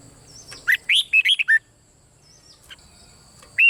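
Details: Red-whiskered bulbul, 'boen' style song repeated continuously to stimulate other birds: a phrase of five rich, rising and falling whistled notes, a pause, then a new phrase beginning, with soft steady high tones in the background.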